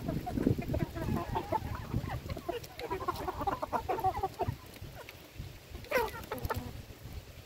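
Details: Chickens being fed, a flock of hens clucking in overlapping low bursts, with a brief sharper squawk near the end and scattered clicks and knocks in the background.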